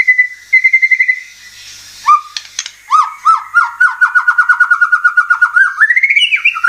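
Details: White-rumped shama song used as a lure to get caged birds singing and showing off learned phrases: steady whistled notes, then a quick run of repeated chirps climbing in pitch toward the end.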